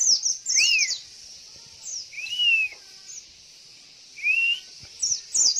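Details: Female Javan white-eye call used as a lure to get males answering and singing: three slurred, arching whistled notes about a second apart, mixed with quick high twittering chirps over a steady high hiss.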